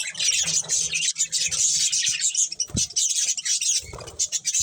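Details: A group of colourful budgies keeps up unbroken, dense, high-pitched chirping and hissing chatter, with a faint knock near three seconds.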